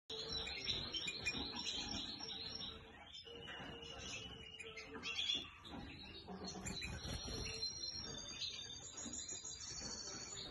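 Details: A European goldfinch (Carduelis carduelis) sings a fast, liquid twitter of tinkling, buzzy notes running without pause, with a faint hum of background sound beneath.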